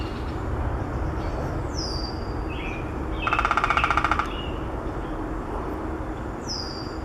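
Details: A Downy Woodpecker drums one rapid, even roll lasting about a second at Maplewood Park, North Vancouver, BC, Canada, on 11 June 2017. Other birds whistle thin, falling notes over a low background rumble.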